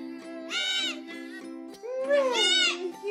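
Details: A female cockatoo that shouts and sings for attention and applause, especially when the family claps, gives two loud, harsh, bleating shouts about a second and a half apart over steady background music.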